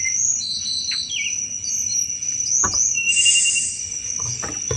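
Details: Sunda robin's chattering lure song for thrushes: high sustained whistles, brief slurred notes and a loud buzzy high burst, punctuated by sharp clicks.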